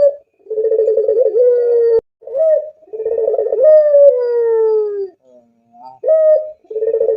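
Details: Spotted dove singing its sweet coo: loud, mellow purring phrases with a quivering start that glide into long, slowly falling notes, repeated with short pauses between them. No other sounds stand out.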